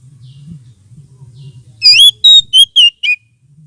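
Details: Lure and therapy sound of an oriental magpie-robin for birds lacking aggression: after a low hum, five loud, clear whistled notes in quick succession, some rising and some falling, ending on a short drawn-out tone.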